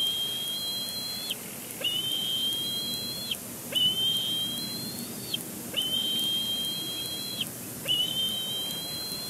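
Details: At a Big Bear Lake nest in late April 2022, an eaglet complains loudly at the adult male bald eagle, perhaps expecting food: drawn-out, thin, high whistles with a slight rise at the end, repeating about every two seconds.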